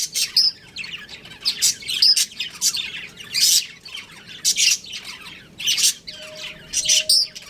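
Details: A breeding pair of home budgies chattering: rapid high chirps and squeaks repeated roughly every second, with a faint steady hum in the background near the end.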